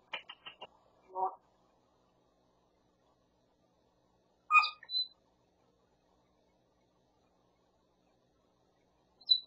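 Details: A talking grey parrot that mimics whatever it hears, including hammer sounds, gives a few brief speech-like bursts and tapping sounds, then a sharp two-part whistle and a short squeak after long pauses.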